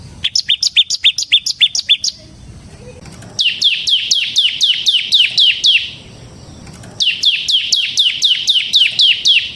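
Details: Gacor ngebren song of the ciblek semi (bar-winged prinia): three long bursts of rapid, high, downward-sweeping chirps, about four per second, with brief pauses between the bursts.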